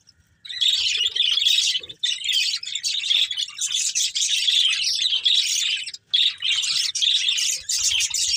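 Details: Budgerigars, a breeding pair, pouring out an unbroken, busy, buzzy warbling chatter at a high pitch. It pauses briefly near the start and again near six seconds.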